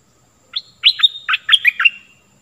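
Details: A Stripe-throated bulbul sings a short burst of sharp, chirpy notes that alternate high and low pitch. The phrase lasts under two seconds against clean silence. The recording from 2021 is used to train young birds and attract wild ones.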